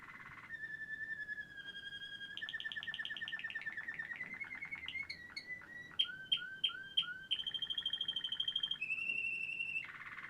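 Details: Quetta Waterslager canary singing: long, steady held notes give way to fast rolling trills. Then come evenly spaced dropping chirps and more sustained tones, all clear and unhurried.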